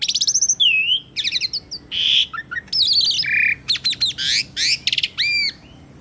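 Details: Asian pied starling singing in a live recording meant to prompt silent caged birds to sing: a rapid jumble of harsh squawks, buzzy rattles, a clear whistled slur and rising and falling whistles.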